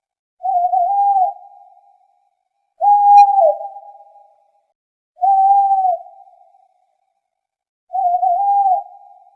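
An owl gives four mellow, mid-pitched hoots, each about a second long with a slight waver, spaced roughly two and a half seconds apart against a quiet background.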